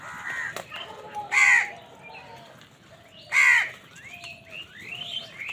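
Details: Morning crow, one of many fighting wild birds over food, gives two loud, harsh caws about two seconds apart. Thin whistles and chirps from smaller birds fill the gaps.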